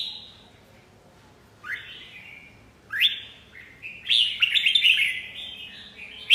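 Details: After a near-silent start, a Red-whiskered bulbul gives upslurred whistled notes, then a dense, chattering warble that builds in loudness.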